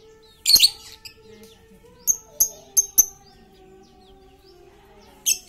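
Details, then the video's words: Chatty lovebird lure for silent lovebirds: a harsh high burst, then a run of four sharp, clipped high chirps, and another scratchy burst at the end, with a low steady tone behind. "Pancingan Lovebird super cerewet untuk memancing Lovebird diam jadi fikter"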